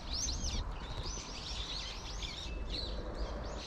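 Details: Plump Eurasian tree sparrows gathered in a persimmon tree, a flock chirping together: dense, overlapping, short arched chirps from several birds with hardly a pause, over a steady low rumble of background noise.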